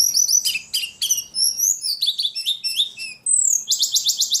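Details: Very vocal ledekan gives quick varied chirps and slurred whistled notes in a lively sequence, ending with a fast, even rattle of high pulses.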